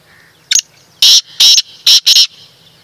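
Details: Black francolin call made of a short sharp first note and four rough, loud, broadband syllables in a set pattern, the final pair nearly joined, with a soft low hum behind.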